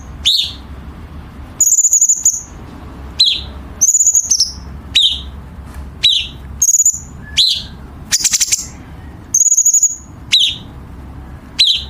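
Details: Chinese bulbul training song for competition birds with sharp, tight harsh fill: high flat whistles and sharp downslurred chirps alternate irregularly, with one brief noisy burst.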